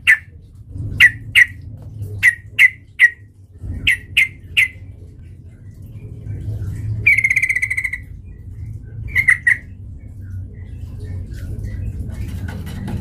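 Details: Sooty-headed bulbul used as a lure to provoke fighting: short bubbly notes repeated about every half second, then a longer buzzy phrase and a few more notes over low background hum.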